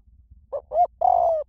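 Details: Single spotted dove phrase in the small-voice style, used to lure doves into answering: two brief soft hoots followed by one drawn-out, even coo gently sloping down at the end; quiet background.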